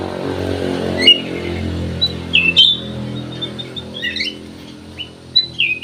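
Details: Black-naped oriole singing vigorously, used as a lure to prompt other birds to sing: scattered sharp chirps and short slurred notes, several high, over a steady low hum throughout.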